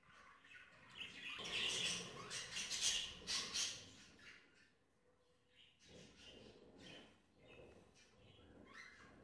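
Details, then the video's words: Budgerigars clashing in a shared group aviary: bursts of harsh, high squawking chatter rise for a couple of seconds, then fade to scattered softer chirps over a quiet background. "اشتباك حقيقي بين طيور البادجي"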